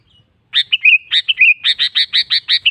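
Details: A sooty-headed bulbul in full song, calling a rival, delivers a loud run of slurred whistles that turns into about eight rapid, evenly spaced emphatic notes, with no other sounds.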